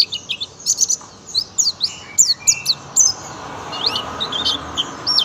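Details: High-pitched, sharp chirps from a young oriental white-eye performing 'tembakan' song, grouped in quick clusters separated by brief gaps, with a soft background hiss.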